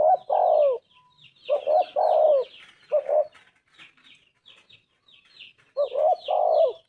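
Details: Spotted dove cooing in phrases of short notes ending in a long descending coo, one phrase cut short, against a busy background of high chirping birds.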